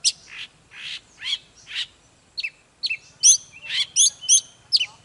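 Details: Oriental magpie-robin in full, intense song, meant to spur magpie-robins to sing hard: buzzy rasping notes at the start, then loud, bright whistled slurs that rise and fall in quick bursts. A faint low hum runs underneath.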